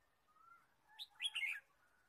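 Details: Red-whiskered bulbul chirping in the wild forest during a day of bird trapping, 23 March 2017. A faint thin whistle comes first, then a loud cluster of bright, scratchy chirps in one brief burst.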